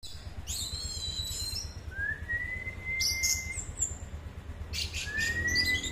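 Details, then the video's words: Orange-headed thrush singing vigorously: long, clear whistles sliding slowly upward, with bursts of high, thin twittering and chirps between them, over a low steady background hum. "anis merah gacor"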